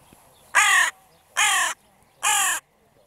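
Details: Evening crow calls: three loud, hoarse caws of equal length, evenly spaced just under a second apart, over a quiet background.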